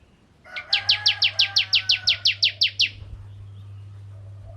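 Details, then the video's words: Crystal-type bar-winged prinia in lively song, intended to trigger singing in other prinias: a single run of about thirteen bright, clipped chirps at an even, quick pace, then quiet. "Burung Ciblek Kristal Gacor Untuk Pancingan Burung Ciblek Semi Ciblek Gunung Dan Ciblek Kristal"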